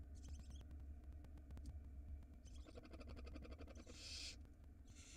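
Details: Barn owl nestlings begging at feeding time in an Israeli nest-box camera, 2022: fast ticking chitter followed by a loud breathy hiss, then another hiss starting, against a constant low hum.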